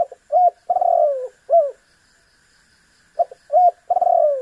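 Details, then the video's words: Spotted dove (tekukur) calling persistently, used to provoke a rival into calling: low hollow coos, short upslurred notes followed by a long drawn-out coo sliding downward, two phrases separated by a pause, faint steady background hum. "MEMAKSA LAWAN AGAR BUNYI_SUARA BURUNG TEKUKUR GACOR"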